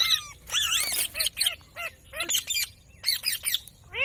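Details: Ring-necked parakeet kept as a pet, producing a dense mix of harsh screeches and arched whistled notes, some bursts grouped in quick threes, with brief pauses between loud squawky phrases.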